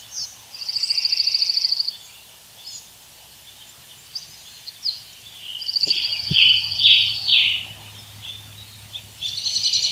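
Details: Several birds singing in woods: rapid high buzzy trills, scattered chirps and whistled phrases, with a sharp knock partway through and a low hum afterwards.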